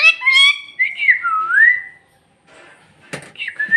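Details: Bhojpuri-talking parrot opening with a nasal, harmonic-rich squawk, then a long whistle gliding down and back up, followed by quiet, a sharp click and another short whistle.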